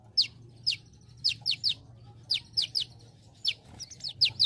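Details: Olive-backed sunbird, known locally as kolibri ninja, singing actively in a training recording for other birds, with celilin-style phrases. Sharp high notes slur downward, spaced irregularly with some in quick pairs, over a faint low hum.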